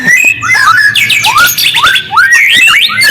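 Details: Brief white-rumped shama lure song: clear upslurred whistles repeated in quick succession with a sustained higher note, thin chirps layered between, intended to provoke other shamas into answering.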